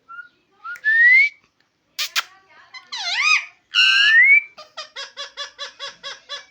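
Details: A talking parrot imitating human speech mixes rising whistles, a wavering speech-like syllable and a drawn-out whistle, ending in a fast run of about ten short clipped repeated notes.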